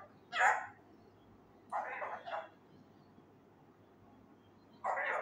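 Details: Raw male Indian ringneck parakeet trying out words loudly, such as "kia hogaya": a sharp rasping syllable, then a hoarse two-part phrase, then another gravelly voice-like burst, over a faint steady background hum.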